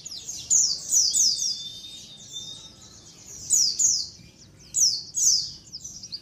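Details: White-eye colony chorus played as a lure for catching white-eyes. Sharp, high downslurred chirps come in clustered bursts, with a brief steady whistled note between them.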